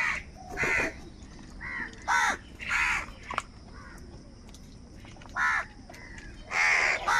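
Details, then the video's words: Crows calling noisily while competing for food: rough, nasal caws of varied length, some paired, separated by short pauses, with a few sharp clicks between calls. "Crow sound of kaka - Kaka sound and noises of crow birds | Different kauwa ki awaz"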